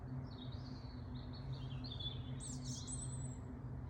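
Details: Garden birdsong recorded in a family garden: a high, thin, warbling phrase that wavers and slides, ending in a brighter burst of twittering notes, over a steady low hum.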